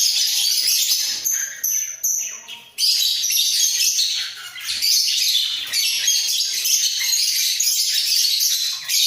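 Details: A pair of budgerigars in a breeding cage, heads bobbing as they call: dense, scratchy, chattering warble runs almost without a break, with brief pauses near the second and third seconds.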